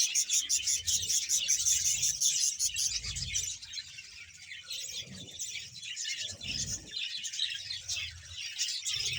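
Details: About 100 pairs of budgerigars in a Bahawalpur colony make a steady wash of high twittering and chirps, busiest at the start and easing off midway, with faint low thumps beneath.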